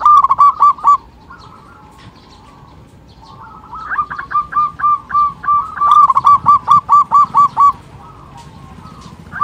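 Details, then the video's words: Local zebra dove (perkutut) giving quick runs of staccato, mid-pitched cooing notes, several bursts of about ten notes each, separated by short pauses. "pancingan perkutut lokal"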